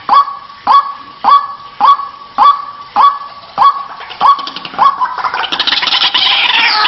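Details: Lure recording of white-breasted waterhen meant to coax it from its nest or cover: nine or so harsh, honking croaks at a steady pace, breaking after about five seconds into a thick, chaotic chorus of rapid rasping notes.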